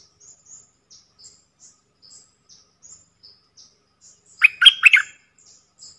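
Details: Decoy bulbuls, four birds kept for calling. Faint, high chirps repeat about every third of a second, broken by one loud, rough, chattering burst near the end.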